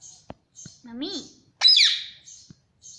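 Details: Pet parrot mimicking speech, trained to say "mummy": one short voiced word with a rising-then-falling arch, then a loud harsh squawk, with faint high chirps between.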